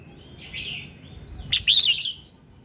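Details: Morning song of a red-whiskered bulbul, played to prompt singing: a soft, drawn-out whistle followed by one loud, rolling warbled phrase, with a low background hum.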